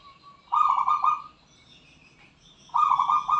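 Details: Zebra dove, a wild local bird from Borneo, giving two loud bursts of fast, rippling coos about two seconds apart, with a faint soft coo before the first.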